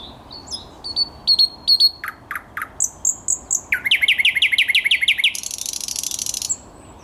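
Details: On 10 May 2021, a thrush nightingale sings a loud, varied phrase: sharp high whistles, deep clicking notes, then a fast rattling trill ending in a harsh buzzy flourish.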